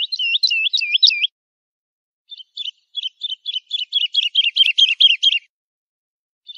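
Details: Song of a lark used to teach chicks: a dense burst of looping whistles, a short silence, then a rapid series of buzzy, chattering notes, ending with a lone note.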